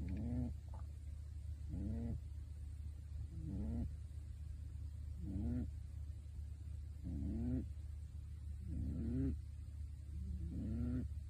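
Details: Low rhythmic snoring of a sleeping pet pigeon dressed in a bird suit, seven brief rising grunts at roughly one-and-a-half-second intervals over steady low background noise.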